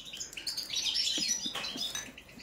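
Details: Goldfinch of the balcanica subspecies in a song check, pouring out a bright, tinkling stream of quick chirps and trilled twitters at high pitch.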